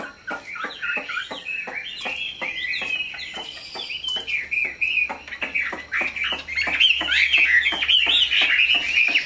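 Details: Tame, large-bodied caged Chinese hwamei singing a long run of loud, slurred whistles wavering up and down, growing stronger toward the end, over steady rapid clicking ticks about twice a second.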